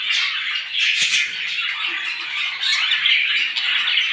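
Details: Small birds heard in the morning as a loud, unbroken twittering mass of high squeaky chirps, with a brief click near the one-second mark.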